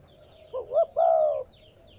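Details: Single spotted dove phrase, used to stimulate newly caught captive doves: two brief upswept notes followed by a long, level, mellow coo, against faint chirps of small birds.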